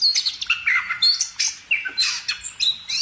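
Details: A bird sings a fast, varied song of sharp chirps and swooping whistled notes, with short bursts following one another about every quarter second and no pauses.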